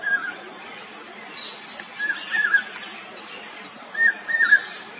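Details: Common hawk-cuckoo, known as brain fever bird, Chokh Gelo and Keteki, giving fainter whistled upslurred note pairs repeated about every two seconds over a steady background hiss.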